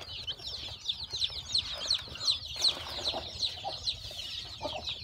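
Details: Newborn chicks hatching from a hen's eggs on a farm give a dense chorus of thin, high, down-slurred peeps, many overlapping at a fast, uneven pace, with a few softer lower notes underneath.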